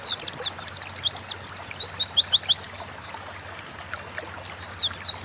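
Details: Oriental white-eye (pleci) in lively, energetic song, kept as a cage bird in Indonesia; rapid bursts of high, thin chirps and twittering notes with quick downward sweeps, a pause near three and a half seconds, then the twittering resumes.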